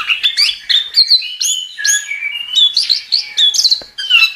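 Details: Vigorous gacor song of a chestnut-capped thrush, or anis kembang: clear, sliding whistles alternating with short chirps, evenly spaced, one phrase roughly every half second.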